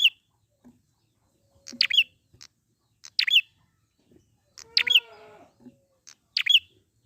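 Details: Prinia singing in the wild as a lure: emphatic, high, sharp note clusters every 1.5 seconds or so, with light ticks and one lower, descending harmonic call from a different bird.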